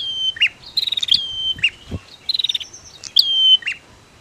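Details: Prinia pair, female against male, provoking other birds to sing: fast buzzy trilled phrases and sharp rising whistles follow each other closely, with a faint low thump midway.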